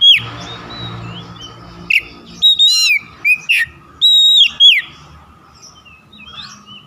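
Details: Oriental magpie-robin (kacer) lure song meant to stir reluctant kacer into singing: a series of loud, varied whistled notes and slurred phrases in quick succession, some rising, some dropping, with a steady hum behind.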